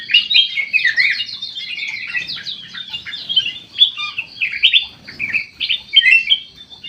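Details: White-eyed golden bulbul singing actively inside an aviary. Dense, lively warbling of twisting whistled notes, delivered in rapid phrases with short gaps.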